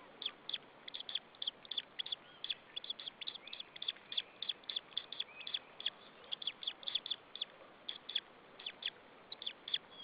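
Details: White-tailed eagle chick on a nest in Saunja, Estonia, chirping before being fed while an adult perches on the branch, recorded 26 April 2013 in the afternoon; thin, high chirps repeated rapidly in irregular bursts over faint background hiss.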